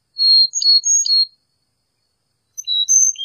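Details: Carolina chickadee singing clear whistled notes, a high steady whistle followed by a quick pair of alternating higher and lower tones, then another short whistled phrase after a pause; no other sounds.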